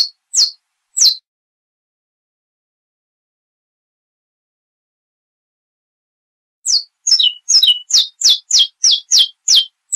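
A Saffron finch gives three sharp, high, down-slurred chips, then after a pause a quick run of about a dozen similar notes. The background is quiet.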